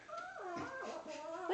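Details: A three-year-old male Indian ringneck parakeet, never kept in a cage, talks to his new toy monkey, a gift from early January 2015. The voice is a continuous run of nasal, speech-like warbling with gliding pitch and no pauses, lasting under two seconds.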